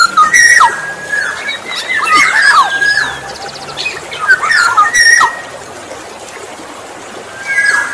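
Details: Black-naped oriole song used as a lure for other orioles: rich, liquid whistled phrases with quick slurred notes, repeated in bursts over a constant hissing background.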